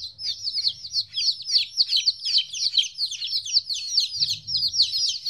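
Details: Domestic chicks, 14 days old, recorded the first time they were separated from their mother; a dense flock chorus of high, downward-slurred peeps overlapping continuously, several per second, with a faint low rumble beneath.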